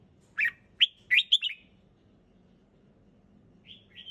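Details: Red-whiskered bulbul singing at ease, with a short burst of clear, bubbly whistled notes, then a pause and two soft rising whistles at the end, over a faint low hum.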